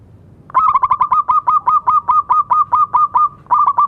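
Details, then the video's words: Zebra dove of local stock singing steadily, used as therapy for doves that have stopped singing: a quick string of about seventeen rounded cooing notes, then a fresh run begins. "Perkutut lokal gacor suara bagus untuk terapi yang macet bunyi."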